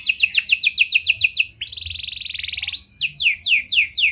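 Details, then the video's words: Panda canary singing a luxurious cengkok-style song used as a lure to provoke and train other canaries. Loud sweeping downward whistles come about four per second, then a fast buzzy rolling trill, then more swooping descending notes. "Pancingan Suara Burung Kenari Panda Cengkok Mewah! Ampuh Buat Memancing Maupun Melatih Kenari Lain"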